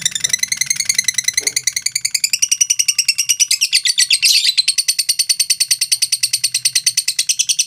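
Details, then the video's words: Lovebird in a long ngekek trill without pause, fast rattling chatter of evenly spaced high notes, briefly swelling into a louder harsh burst midway before resuming the steady run; faint low hum underneath. "LOVE BIRD NGEKEK PANJANG 2 MENIT TANPA JEDA"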